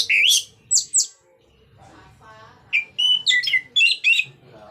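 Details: Orange-headed thrush in lively 'ngeplong' style song used to prompt other thrushes to sing: bright, varied whistled phrases, some sliding and rising, with short breaks between bursts and a faint low hum underneath.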